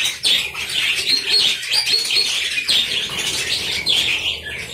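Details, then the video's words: Budgerigar colony kept in an aviary: a constant chorus of high, warbling chirps and squeaks from many birds at once, with no pauses. "Koloni Burung Parkit Di Aviary"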